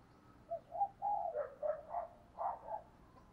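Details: Spotted dove used as a decoy, pushed to coo rapidly to draw in wild doves, delivers a quick run of low, throaty coo notes in close succession.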